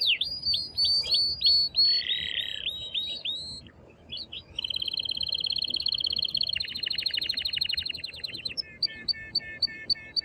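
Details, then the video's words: Excited male canary singing strongly to arouse a female for breeding, with varied high phrases: quick repeated downward-slurred notes, a lower chattering section, then long rapid rattling trills that shift pitch partway and end in short repeated chips. "تغريد قوي جدا كناري هائج لتسميع الفراخ | canary singing"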